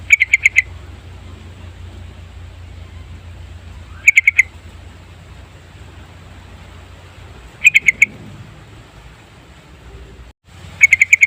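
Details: Repeated yellow-vented bulbul lure phrases: four short bursts of rapid bubbly notes, each phrase roughly every three and a half seconds, over a steady low hum.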